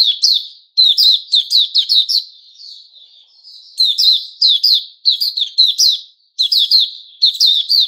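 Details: White-rumped shama, Puteh Raja type, recorded 29 August 2021: fast sequences of sharp chirps in bursts, a longer quiet warbling passage, then renewed rapid chirping bursts.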